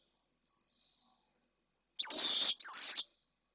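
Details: Female pallid swift arriving at her nest in Jerez de la Frontera, Esclavas de Jerez, filmed by a nest camera: a faint thin buzz, then two loud, harsh, buzzy high screams of about half a second each in quick succession.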